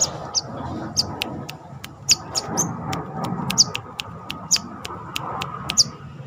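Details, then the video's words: Captive brown-throated sunbird, locally called kolibri kelapa, heard during confidence training: sharp, very high chirps, each brief and piercing, spaced irregularly about every half second to a second, with scattered clicks and a low background hum. "MELATIH MENTAL mental burung korlap (Kolibri kelapa)Manggar...dengan cara ini pasti cepat gacor."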